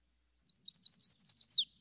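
Chestnut-sided Warbler song: a quick run of high, sweet slurred notes, about eight in just over a second, finishing on a lower, down-slurred accent.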